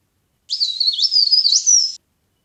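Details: High-pitched leaf warbler chatter used to lure birds into traps: a tight 1.5-second burst of rapid, wavering twitters that rise and dip sharply, heard in clean silence.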